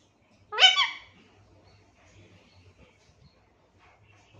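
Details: Pet Alexandrine parakeet in a cage, taught to say "mithu mithu"; one short, loud, grating utterance with stacked harmonics opens the recording, then near silence with faint indoor clicks.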